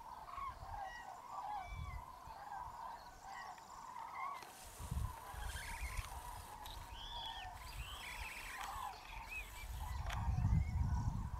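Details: Hundreds of common cranes (Grus grus) waking at a huge roost on a freezing, foggy mid-January dawn in Tablas de Daimiel National Park, Spain, give a dense, overlapping chorus of loud, rolling trumpet calls over low wind rumble.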